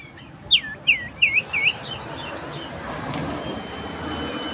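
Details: Common iora singing loudly in search of a rival, 27 December 2022: four quick looping, downslurred whistled notes in a burst, followed by steady background hiss.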